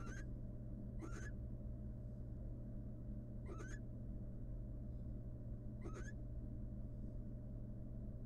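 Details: Female barn owl, wild, at a studied nest box, showing love to the male between bouts of incubating eggs: four quick rising chirrups with rich overtones, two close together then two spaced out, over a low droning background.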